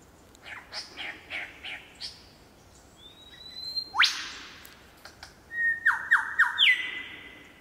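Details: Superb lyrebird at Olinda State Forest Reserve sings a varied run: a series of short chirps, then loud ringing whipcrack-like sweeps and several sharp descending notes over a long whistle.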